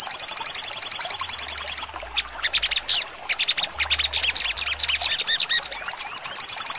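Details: Sogon bird's sharp trotol singing: it opens with a rapid high trill, breaks into loose sharp chips and rising notes, then ends with wavering whistles and another fast trill.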